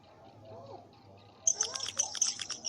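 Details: A swiftlet sound used as a lure for swiftlet houses begins faint, then breaks into a burst of sharp, very high chirps and twitters that run quickly to the end.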